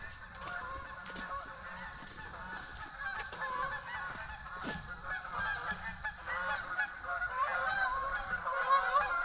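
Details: Canada geese flying in from a lower pond on a property in October 2024, including young raised there this season: a chorus of harmonic nasal honks repeated rapidly and irregularly, growing louder as the flock approaches, with a man laughing and talking.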